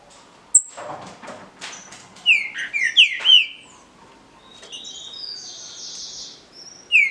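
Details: Green-winged saltator in a caged singing contest, with a sharp high note and rustling followed by a quick phrase of falling whistles, then a sustained buzzy high tone and another whistle.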